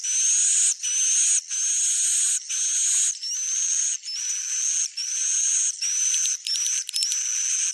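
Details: Swiftlets calling in buzzy, high chirping bursts that last about a second each, separated by short gaps, with a thin rising whistle running through several bursts.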